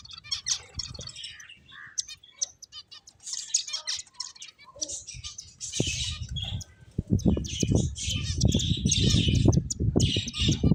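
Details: Finches at play, giving a run of short, high, bright chirps and tweets that come fast and unevenly, with dull thumps and rustling from wingbeats and movement that grow louder in the second half.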